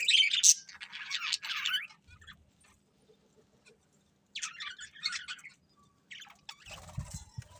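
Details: Budgerigars eating happily; short bursts of scratchy chattering chirps separated by quiet stretches, with a low hum and rustling near the end.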